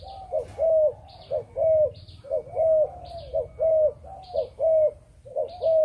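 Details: Breeding Malaysian-line spotted dove cooing 'chụp chụp ô': crisp short-long hoot pairs in a steady, even rhythm, with soft higher chirps between the phrases.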